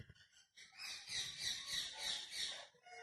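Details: Ringneck parakeet talking: a dense, harsh chattering burst that swells after half a second and holds for about two seconds with bright pulsing high tones, then fades away.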